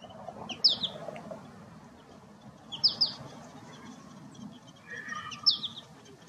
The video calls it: Chardonneret, chant / Goldfinch, song